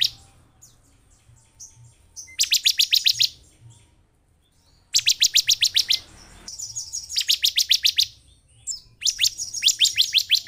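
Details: Bar-winged prinia song played as a lure so a caged bird quickly sings: soft thin chirps, then four loud bursts of rapid, sharp repeated notes, some bursts long and stuttering.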